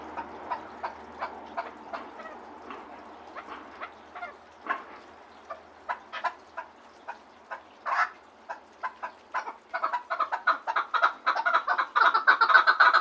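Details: Spaced single chuk notes from a Gharm chukar partridge gradually quicken, then burst into a dense, loud clucking chatter over the final three seconds; faint low hum at the start.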